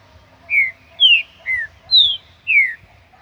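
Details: Wild green-winged saltator in nature giving its song: five rich, slurred whistles falling in pitch, the second and fourth higher than the rest, spaced about half a second apart, with little else audible.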